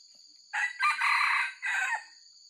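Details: Genuine wild red junglefowl with white legs, recorded as a lure call for trapping: one harsh, broken crow of several rough segments lasting about a second and a half, over a steady high electronic hum.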